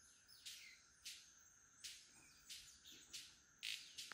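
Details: Several male White-collared Manakins performing their lekking display at Rancho Naturalista Lodge, Costa Rica, calling and snapping their wings: about seven sharp, dry snaps spaced roughly half a second apart over a steady high thin whine, with faint chirps between.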